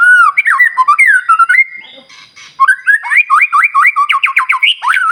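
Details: White-rumped shama singing to provoke quiet shamas: smooth looping whistles, a short raspy break, then a fast train of repeated clipped whistled notes that climb in pitch.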